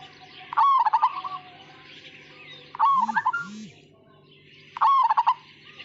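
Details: Majapahit-type zebra dove, or perkutut, giving a gacor, ngayer song: three short bursts of bubbling, pulsing coos about two seconds apart, with a faint low double hoot after the middle phrase.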